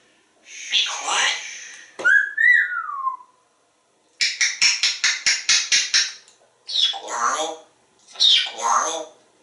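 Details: Pet African grey parrot, hatched 1997, at home in Texas during a talking, counting and whistling session with its owner: a rising then falling whistled note, then a fast run of about ten clipped repeated notes, mixed with speech-like phrases.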